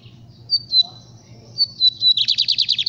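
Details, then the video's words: Lined seedeater in the verdin capiroto song style: a few clear, high, slightly falling whistles, then a fast, loud, buzzy trill of repeated notes, about eight pulses closing the phrase, over a faint low hum. "Bigodeiro Verdin capiroto"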